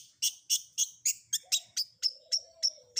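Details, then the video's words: Long-tailed shrike isian combination song: loud, strident high notes repeated about three to four times per second, shifting toward thinner whistled tones, over a faint lower sliding whistle. "Suara Isian Kombinasi Cendet"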